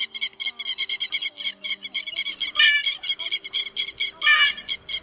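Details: Grey-headed lapwing calling in a rapid, harsh run of sharp, high, ringing notes, about two per second, with a faint low hum; a lure call for night-net trapping during the August 2024 migration season.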